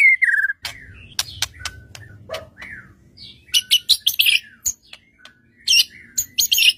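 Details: White-rumped shama, a singing bird used to provoke other shamas into answering, giving varied phrases: a low whistle, sharp high chips, then bursts of rapid buzzy notes, with a faint low hum behind.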